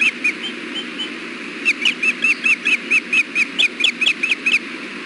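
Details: Osprey pair at the nest with a fish, early June 2016 afternoon: a few soft chirps, then a long rapid run of sharp, slightly rising and falling whistled notes, over constant hiss.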